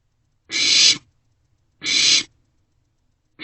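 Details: Barn owlets in an owl box at night, around 2 am on 27 March 2024, sharing a vole and passing it back and forth; harsh, hissing screeches of about half a second, two bursts with a third starting.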